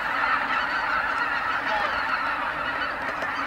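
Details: Evening return of vast goose flocks to Kabukuri-numa marsh after feeding, the marsh wrapped in their voices; overlapping honks blend into a constant, even din.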